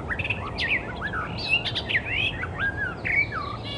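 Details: Wild Icterine Warbler pouring out a fast, varied song of looping whistles, rising and falling slurs and short chirps, continuous throughout, with low background hum.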